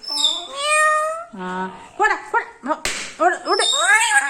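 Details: Pet parrot in a kitchen uttering many word-like sounds: a high whistled start, a long level harmonic note, a low buzzy one, then a quick series of short arched syllables and a sharp click.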